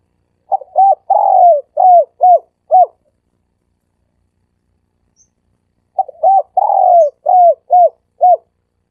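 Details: A dove gives its 'sam kuk' lure call: a phrase of short coos around one long falling note, repeated after a three-second pause in the same form.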